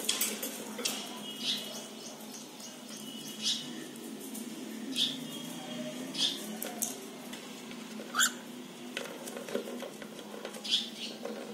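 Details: Pet cockatiels closely examining their nest box make short, high, sharp chirps scattered irregularly through a quiet room, roughly one every second or two, with one louder screech standing out.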